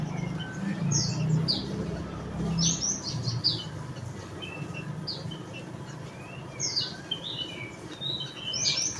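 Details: Javan munia (emprit bondol jawa) chattering busily: many short high chips and thin downslurred notes, irregular and sometimes overlapping, with a low rumble beneath.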